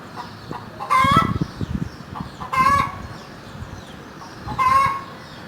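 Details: Clucking hen giving three loud, rasping clucks about one and a half to two seconds apart, with softer low thumps and rustling between the calls.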